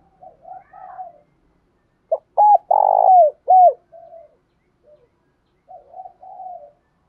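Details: Spotted dove calling in the morning in Đồng Nai, Vietnam: soft low murmurs, then one loud cooing phrase of short curved notes framing a drawn-out, buzzy middle coo, followed by quieter trailing coos.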